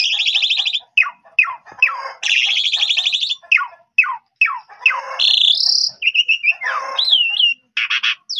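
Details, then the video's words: Vigorous Asian pied starling song played to make other starlings respond: alternating raspy buzzing phrases and quick falling whistles, then looping, warbled whistles near the end. "Jalak Suren Bahan Langsung Respon Nyaut Gacor"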